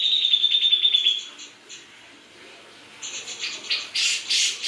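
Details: Greater green leafbird from Java singing: a rapid trill of sharp high notes, a short pause, then scattered chips and harsh noisy bursts.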